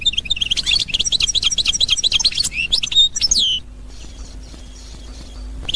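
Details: Goldfinch of the Algerian Constantine song style, recorded in 2021, delivering a quick burst of bright, metallic twittering and trills that ends in descending whistled slurs, followed by near silence with a low electrical hum.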